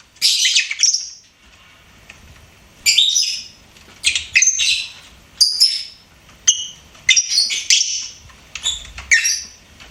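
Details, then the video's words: Pet lovebird chirping: one shrill burst, a pause, then a steady series of short squeaky chirps and whistled notes roughly once a second. "LOVEBIRD SINGING & CHIRPING SOUNDS"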